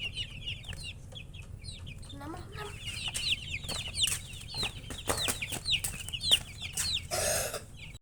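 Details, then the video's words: Baby chickens chirping, a steady stream of high, curved peeps from many chicks, with a lower rising squeak, some knocking and a brief rustling burst near the end. "MURGI Baby "Chicks Chirping" Sound"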